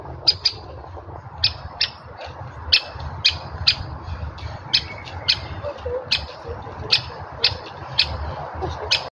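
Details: Woodpecker giving sharp, high, short call notes at irregular intervals, often in pairs, against a constant low rumbling background.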